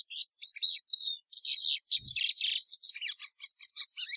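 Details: Plumbeous seedeater singing a fast, continuous run of high chirps, slurred whistles and buzzy notes that jump quickly in pitch, with a brief low thump near the middle.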